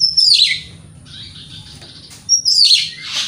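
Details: White-rumped shama in morning song to make rival birds respond: a bright downward-slurred whistle with a raspy tail, a quiet gap, then the same slurred whistle repeated and a rough burst.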